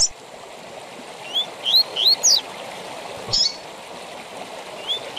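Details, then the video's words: Captive-training tui tui zel zel song of a double-collared seedeater; a short run of four rising whistled notes, then a brief high burst and a final pair of upslurs, against the continuous hiss of a stream. "TUI TUI ZEL ZEL DE FIBRA TOP PARA ENCARTE DE COLEIROS E PAPACAPIM"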